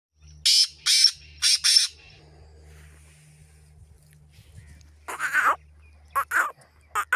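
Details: A black francolin from Pakistan gives harsh, grating bursts, a quick run of five rasping notes and then three more after a pause, over a low steady hum.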